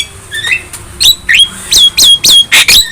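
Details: Young Javan myna singing actively while head-bobbing, a series of loud sharp whistled notes, several rising and falling in quick slurs, speeding up into harsh buzzy bursts toward the end.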